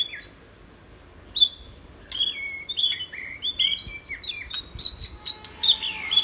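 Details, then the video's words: White-rumped shama recorded as a song model for other birds: clear, high whistled notes, some falling and some level, building into a quicker varied sequence after a quiet start. "Burung murai batu gacor || masteran murai batu gacor."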